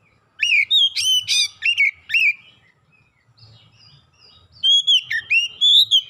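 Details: Lure song of an oriental magpie-robin, intended to get other birds singing persistently: a rapid series of sharp, rising and falling whistled notes, a quiet gap, then another string of loud, fluting phrases.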